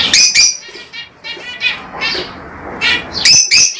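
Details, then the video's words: Lovebirds shriek: two loud harsh calls open, buzzy chatter follows, then more piercing screeches close the sequence. "LoveBirds Sounds"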